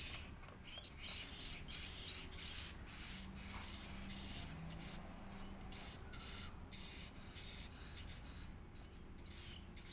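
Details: Being fed, an Edible-nest swiftlet chick gives shrill, high, whistled squeals in uneven bursts separated by short gaps; a faint low hum runs in the background.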